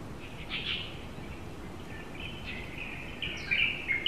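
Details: Female Asian koel recorded in Tainan, Taiwan, giving short high notes in two bursts, the later burst a quick run of sharp, chattering notes, over steady hissing background noise.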